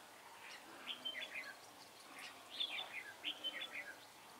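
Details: Red-whiskered bulbul kept as a decoy bird for trapping, singing two short bursts of bright, warbled, slurred whistles about two seconds apart, over a faint steady background hiss.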